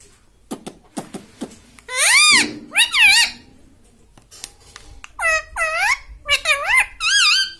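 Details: Pet parrot imitating human speech indoors, said to say "mummy": soft clicks first, then bursts of harmonic, voice-like syllables with bending pitch, a pair near two to three seconds and a run of four after five seconds.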